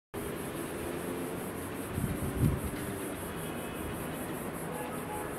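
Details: A steady, broad roar of machinery or air-conditioner noise fills the recording, with a brief louder low thump midway and no animal voices.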